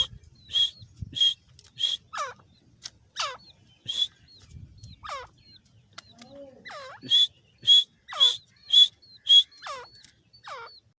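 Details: Grey francolin (dakni teetar) female call from Layyah, used as a lure for hunting: bright high piping notes alternating with loud descending sweeping notes, repeated in rapid bursts about twice a second, with a brief pause midway and faint low background noise.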